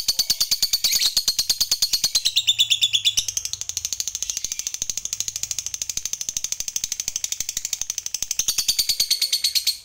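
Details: Long ngekek from a fighter lovebird, a lure meant to set other lovebirds singing: nearly ten seconds of unbroken high, rasping chatter in fast regular beats, briefly wavering in pitch midway.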